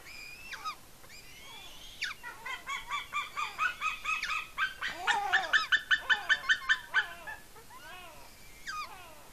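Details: Eagle at its nest on Smola, Norway, on 7.12.18, filmed by a nest camera, squeeing with excitement while eating a fish brought by an adult: piping harmonic notes that swell into a rapid steady series about two or three a second.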